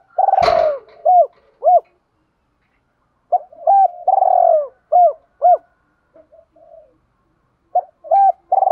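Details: Cooing of a decoy spotted dove luring wild doves in 'chiêu hai hậu' style: a sharp knock over an opening purr, then hooked two-note coos and a rolling phrase. The series repeats with quiet gaps and soft low murmurs.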